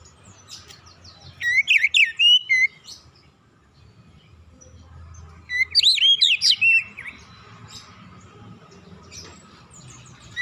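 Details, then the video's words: Relaxed Oriental magpie-robin song meant to draw other birds into singing, heard as two bursts of rapid, swooping whistles several seconds apart, with quiet gaps between and a steady faint hum underneath. "kicauan nyantai pancingan ampuh Kacer bahan cepat gacor"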